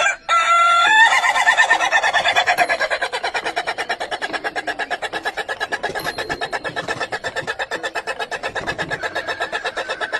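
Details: Rooster among the world's longest-crowing chickens gives a drawn-out crow: a bright harmonic opening, then a sustained, wavering tone that pulses about three times a second and continues without a break for over nine seconds.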